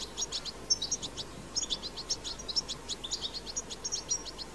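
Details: Wild-recorded goldfinch twittering: a lively stream of quick high chirps and tinkling notes, evenly spaced, with occasional thin sustained whistles, against light background hiss.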